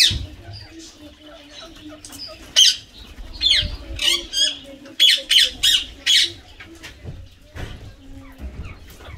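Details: Tame Indian green ringneck parakeet at play in water during a shower, giving a scattered run of sharp, grating squawks, about six in a tight cluster midway, over a faint hum and soft background noise.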